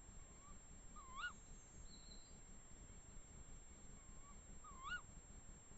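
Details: Pair of tawny owls in a forest of the Eifel near Dohr giving two shrill, upward-sweeping calls about four seconds apart. A softer, lower note precedes each call, set over a quiet, steady rumble of background noise.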